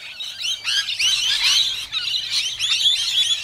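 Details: Feisty rainbow lorikeets squabbling during a feeding frenzy in suburban Melbourne: loud, grating screeches and rasping squawks overlap continuously from many birds, with a faint low hum underneath.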